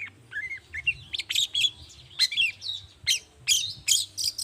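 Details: Long-tailed shrike in morning song, a lure to get other shrikes singing: sliding whistles mixed with harsh squawky notes and sharp chips in an uneven, chattering sequence.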